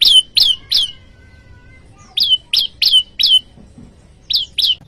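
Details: Bar-winged prinia, known as prenjak lumut, calling a rival, as lure and tutor audio: spaced, down-slurred sharp chirps, three, then four, then two, slower than a trill.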